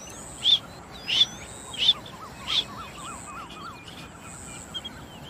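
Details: Rain quail from a hunting setting calling four loud, high, sharp notes at steady intervals, while a lower wavering warble from another bird runs underneath and a faint high tone persists.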